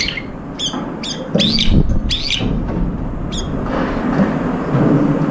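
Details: Brown-eared bulbuls feeding together in competition for food; a few harsh, rising screechy calls in quick succession early on, then only low rumbling background noise.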